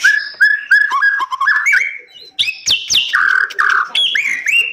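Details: Rich varied song of a white-rumped shama in captive breeding: repeated short whistled notes, then a brief pause and loud high and low whistles alternating with crisp clicks.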